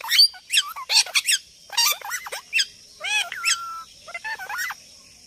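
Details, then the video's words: A parrot making varied sounds: sharp screeches mixed with bending, whistled notes and a drawn-out level whistle near the middle, in quick irregular bursts over a steady high hiss. "Parrot talking And Making sounds"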